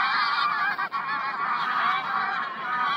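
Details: A huge flock of geese on 3 September 2022 honks nonstop, countless nasal calls blending into one thick, unbroken chorus, with a short lull just before the one-second mark.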